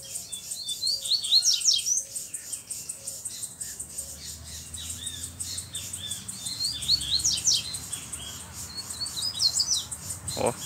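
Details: Black double-collared seedeater with a bluish-white bill, loose and singing steadily: bursts of high sweeping whistled and buzzy notes in short phrases, separated by pauses, over a steady high ticking background.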